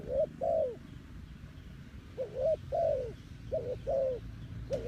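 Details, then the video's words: Spotted dove calling as a decoy for wild doves: soft, hollow coos in pairs, each a brief upswept note and then a longer falling croo, repeated three times with short pauses. "The Sound Of Spotted Dove is so good"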